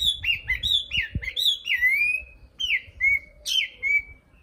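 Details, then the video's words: Nightingale singing a varied phrase of clear, slurred whistled notes, some rising and some falling, given in quick bursts, then longer drawn-out descending whistles with short pauses between them; a few low thumps underneath. "Best Video Nightingale Song , Sound Image Nightingale"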